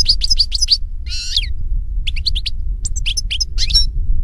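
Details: Singing European goldfinch in the wild, giving quick bright chirps, a harsh buzzy rasp, then more tinkling twitters in short phrases over faint low rumble.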